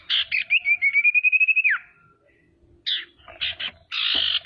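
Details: Female common iora (sirtu) calling as a lure for rivals; a harsh buzz opens into a long, rapidly pulsing whistled trill that drops sharply at the end, then several more rasping buzzy bursts.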